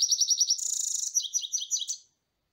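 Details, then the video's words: European goldfinch song: a dense, fast run of high liquid twitters, first a repeated pulsing phrase, then a buzzy trill sliding into bright tumbling notes, lasting about two seconds and ending abruptly. "carduelis الغناء"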